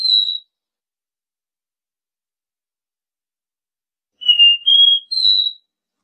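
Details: A caboclinho's Dó Ré Mi song, meant for training young birds. A lone high whistle ends a first phrase, then after a long silence comes a full phrase of three smooth whistled notes climbing step by step.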